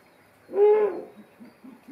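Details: Ezo Ural owl chicks in Kushiro City Zoo, Japan, waking from sleep at dusk and looking around, 11 June 2023. A single mellow, tonal hooting note lasts under half a second, followed by faint low murmurs.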